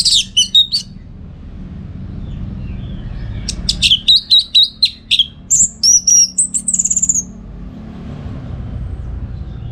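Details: Orange-headed thrush, recorded as training song for contest birds, delivers rapid clipped chirps, runs of repeated piping notes and a few long bright whistles. Steady low hum underneath.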